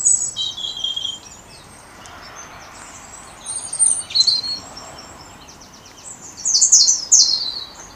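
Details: European robin singing loudly in a late-January dawn chorus around 8 o'clock while still dark, proclaiming breeding territory; high, thin warbled phrases with bright twittering bursts near the end, other birds singing faintly in the background.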